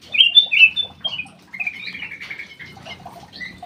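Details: Black-crested bulbul in an aviary giving two loud whistled notes, followed by a long, gliding, descending whistle and quieter scattered notes.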